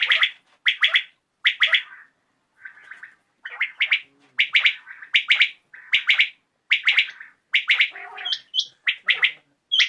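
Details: Evening recording of common quail, emphatic three-note calls repeated steadily, sometimes overlapping, with occasional softer notes between phrases.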